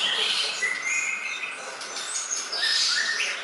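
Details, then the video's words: Greater green leafbird song from a masteran tutor recording for training birds to learn song: bright whistled phrases and sliding notes between high twittering, with dense overlapping voices throughout. "masterancucak ijo yang mudah di tangkap"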